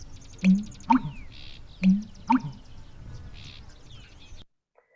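American Bittern giving its deep, gulping pumper-lunk, two low booming pairs about a second and a half apart, with faint higher chirps from other birds.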